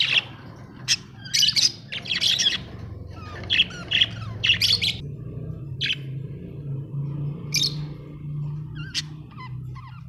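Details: Domestic budgerigars at home give a series of short, sharp chirps and squawks, clustered early and then spaced out, against a constant low droning hum.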